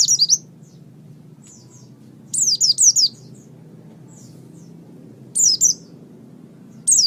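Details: Oriental white-eye singing, recorded for training other songbirds: short bursts of two or three high, sharply falling whistled notes, separated by pauses of two to three seconds, with a soft hum beneath.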